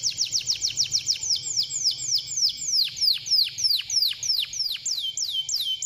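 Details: Canary singing to prompt other canaries to sing: a long series of loud downslurred whistled notes repeated about three per second, rhythmic and ringing.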